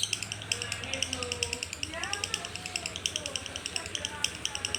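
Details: Lovebird singing in the koslet style: a rapid, steady stream of high, buzzy chirps repeated several times a second throughout, with faint low voices and a background hum underneath.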